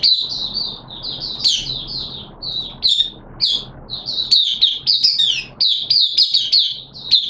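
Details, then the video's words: Oriental white-eye, or mata puteh, a hobby bird in a cage during wet weather, delivering a long sustained run of high twittering, slurred notes with very brief gaps. "Mata Puteh T Rex Buka Sing"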